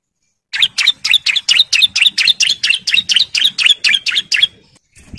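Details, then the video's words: Sharp repeated chirps from a breeding male bar-winged prinia calling to females: about twenty high, ringing notes delivered evenly over four seconds in the long continuous ngebren style, fading slightly toward the end. "CIBLEK JANTAN BIRAHI GACOR NGEBREN MANGGIL BETINA KOLONI"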